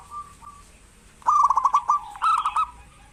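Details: Local zebra dove singing actively, played as a lure to get lazy doves calling: after a faint opening note, a loud rolling trilled phrase of quick repeated notes, then a second rolling burst, against a quiet background.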